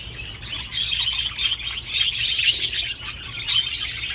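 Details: Budgerigar mating sounds meant to encourage breeding: steady, bright high warbling chatter with quick twittering notes and short squeaks, unbroken throughout.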